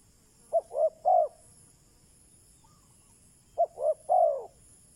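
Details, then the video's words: Decoy spotted dove calling to lure wild doves: a three-note cooing phrase, two short coos then a longer falling coo, repeated about every three seconds; steady high hiss in the background. "Chim cu mồi chuẩn thúc bổi, kích bổi nhanh nổi/ Burung Terkukur"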